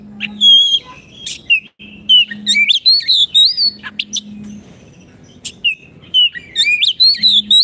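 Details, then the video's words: Oriental magpie-robin, kept in a cage, singing as a training model for birds that have gone quiet: rising and falling whistled slides, clicks and scratchy bursts, over a low repeating hum. "Terapi Kicauan Kacer Gacor pas untuk masteran Kacer macet bunyi"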